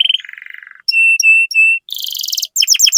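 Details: Canary 'cuit cuit' song meant to trigger young canaries: a buzzy descending trill, three clear level whistles, a dense rattling roll and quick sharp down-slurred notes.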